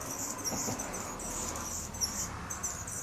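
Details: Male hummingbird singing while perched on guard near garden feeders: thin, very high squeaky notes repeated in short bursts over a low background hum.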